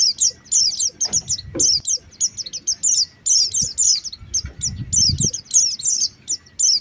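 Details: Lure calls of Oriental white-eyes to attract birds. Clipped, high twittering notes arrive in quick spaced bursts, fairly regular, with brief silences. Soft low knocks and rustles sound in the background.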